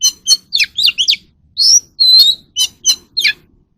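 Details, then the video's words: Oriental magpie-robin song for training captive birds to sing: fast, varied phrases of twisting whistles, rising and falling slurs and sharp chips, packed closely together over a faint low background hum. "kacer alam | choè than luyện giọng || Choè than kích bổi ra giọng เสียงนกกางเขนบ้าน"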